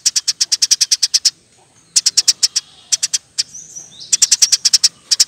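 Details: Eurasian tree sparrow in a bird-training recording, singing loudly in a rapid, tight style: bursts of about a dozen sharp, high chirps fired in quick even succession, separated by short pauses, with a faint squeak in between.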